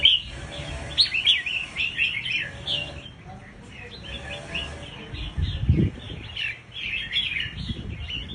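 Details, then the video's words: Scarlet-backed flowerpecker lure call: dense series of short, high chirps and sharp twittering notes, some rapid and clustered, over a low rumbling background with occasional thumps. "Suara Pancing Burung Cabean merah | Burung Cabai Merah | Sepah Puteri | Chirp of Birds"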